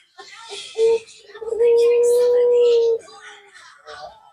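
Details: A Barbary dove of the puter pelung type gives a brief low hoot, then one long, steady, drawn-out coo lasting over a second, over faint background chatter and noise.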